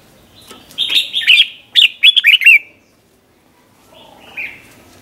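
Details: Red-whiskered bulbul, 'berl' style song known as '100 professions', meant for training young birds: a lively run of slurred, bubbling notes in two quick groups, followed by quiet and one faint later chirp.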